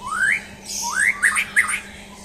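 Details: Champion white-rumped shama under a mental test, giving long rising whistled slurs followed by short looping notes, over a faint steady hum.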